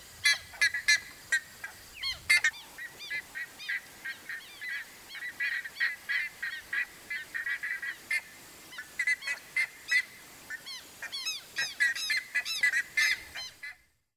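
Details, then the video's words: Buff-necked ibises in Brazil's Cerrado grasslands give loud, harsh, nasal honking notes in rapid bursts, several birds overlapping in a raucous chorus for about fourteen seconds. "CANTO da CURICACA"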